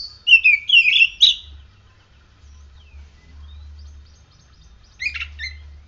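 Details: Caged oriental magpie-robin singing after morning sunning and dew exposure, pouring out a quick run of varied warbled and whistled notes, then quiet, then a short harsh chattering phrase.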